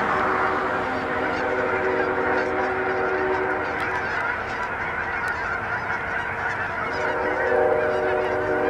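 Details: Massed Canada geese crowding a Hutchinson, Kansas pond in January, a thick steady chorus of nasal honks, some clearer individual calls standing out above the constant din of the flock.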